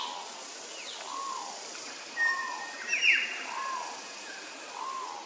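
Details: Peaceful dove (Geopelia placida) courting with a display dance at Nambour, Queensland: soft, mellow coos rise and fall about every second and a half; sharper chirps from another bird break in midway.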